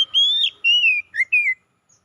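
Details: Oriental magpie-robin song, played to revive a bird that has fallen silent: a quick run of four pure whistled notes, the first rising, the later ones sliding downward, against silence.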